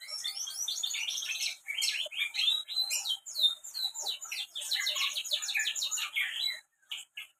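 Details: Canary singing loud and busy, the Indonesian gacor style, recorded in Central Java, Indonesia: rapid chattering trills and twittered phrases, bright and high, in near-continuous bursts that break off briefly near the end; no other sounds.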